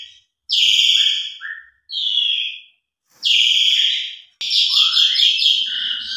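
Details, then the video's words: Asian pied starling in full, lively song meant as a lure for starlings that have stopped singing: broad, rasping downslurred notes alternating with short lower whistles, ending in a dense, rising, chattering phrase. "Pancingan Jalak Suren Gacor Isian Mewah Cocok Buat Jalak Suren Macet Biar Gacor"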